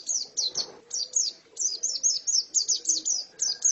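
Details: Short burst from a female white-eye: high, thin twittered notes repeated quickly in small groups, with a brief soft knock early on.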